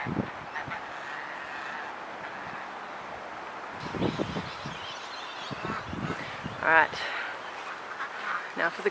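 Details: Geese in a local Australian park give short nasal honks in the background as they tell each other off, with one louder honk burst near the end, under a woman's close talking and soft outdoor noise.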